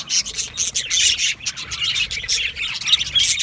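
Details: Many yellow male budgies chattering together in an aviary, a busy stream of high, buzzy chirps and short warbles that swells and fades in quick bursts.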